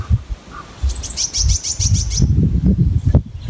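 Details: A little finch in woods near West Malvern gives a quick run of about eight thin, high chirps over roughly a second, against low wind rumble and footsteps, with a woodpecker faintly tapping in the distance.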